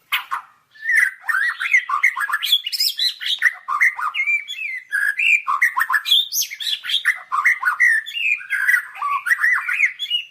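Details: White-rumped shama, a training song recording, pouring out a rich, varied run of whistled phrases, rising and falling notes mixed with rapid chirps, continuous and loud throughout.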